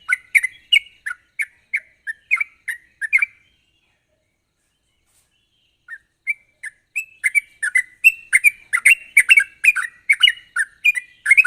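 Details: Sharp rapid-fire sooty-headed bulbul song, played to coax untrained bulbuls into singing: brisk chirpy liquid notes about twice a second, a silent gap of two seconds, then a denser, faster run of bubbling notes.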